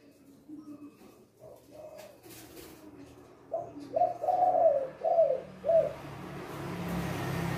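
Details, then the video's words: Loud male spotted dove singing a two-'kuk' phrase: after faint background noises, a clear series of five warm, rounded coos, the middle one drawn out, before a rising hiss of noise. "Masteran Tekukur Kuk 2 Gacong Suara Besar"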